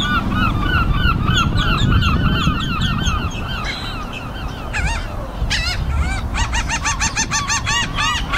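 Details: Afternoon gathering of seagulls, runs of short downcurved calls from many birds, a brief lull, then a burst of sharp rapid squeals over a heavy low background rumble.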